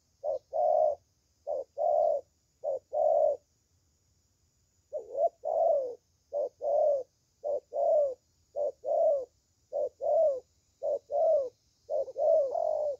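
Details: Spotted dove, a thổ tơ with a fine voice, cooing in short-long pairs; three pairs, a pause of about a second and a half, then a faster run of seven more pairs.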